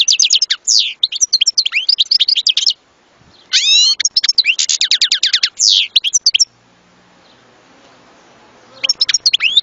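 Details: European goldfinch singing in rapid bursts of high, bright twitters, rising and falling slurs and short rattling trills, with brief pauses between phrases and a faint low hum during one quiet stretch.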